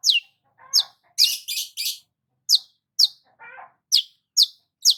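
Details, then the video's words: Long-tailed shrike singing while sunbathing in the morning: sharp, high descending chirps repeated irregularly, broken by a few lower, harsher chattering bursts and a cluster of three dense, rasping notes. "KICAUAN BURUNG CENDET SAAT BERJEMUR DI PAGI HARI"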